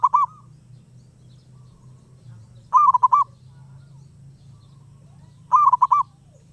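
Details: A wild zebra dove that will not stay quiet gives short rolling coo phrases, one at the start and two more roughly every three seconds, each a quick trilled cluster of notes, with steady low background hum.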